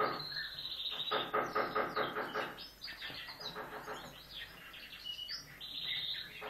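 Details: Rescued common kestrel chick with rickets-deformed legs, found fallen from a rooftop nest five storeys up on a city apartment building, begs during feeding with shrill, harsh, wavering cries two to three times a second; soft rustling.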